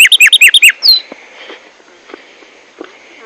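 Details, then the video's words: A Rufous-collared Sparrow (tumba yegua, tico tico) with a loud, constant, dominant song gives about seven quick, high chirped notes, then one clear downslurred whistle, followed by near silence with faint taps. "ESTIMULA TU TUMBA YEGUA O TICO TICO / BirdSong"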